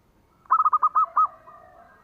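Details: Zebra dove of the local type singing as a lure for other doves: a fast, rhythmic series of short coos that slows into a longer note, then a quiet drawn-out tone trailing off.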